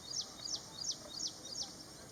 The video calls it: bird call sounds of Ashy prinia